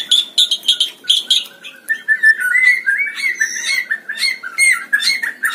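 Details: White-rumped shama at a singing contest, singing lively: a run of short chattering bursts, then a flowing series of clear whistled notes that rise and fall, with quick slurred phrases throughout.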